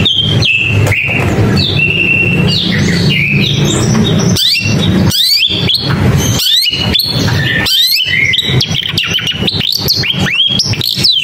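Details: Long-tailed shrike singing a varied, fast chattering song of sharp rising and falling whistled sweeps and chirps, with brief gaps between bursts, over a steady low rumble in the background.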